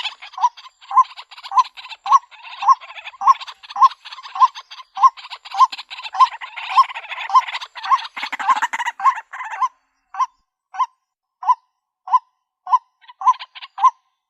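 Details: Female white-breasted waterhen calling for a mate, a real recording said to serve as a lure: hooked notes repeated about every half second, overlapped by rattling calls at first, then continuing alone and evenly spaced.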